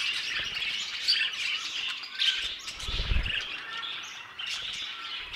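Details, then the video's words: Budgerigars in an aviary chatter together, a bright mix of twittering warbles and short chirps, with a brief low rumble near the middle. "MI ANTIGUO AVIARIO DE PERIQUITOS"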